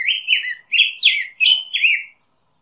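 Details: Black-headed grosbeak producing five or six fluty, slurred song phrases in quick succession, rising and falling whistles, then silence.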